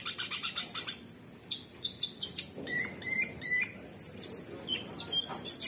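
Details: Super gacor cucak cungkok, the orange-bellied leafbird, delivering its 'materi kekinian' song: fast ticking opening, then pure level whistles at varying pitches, some clipped, others drawn out, strung together almost without pause.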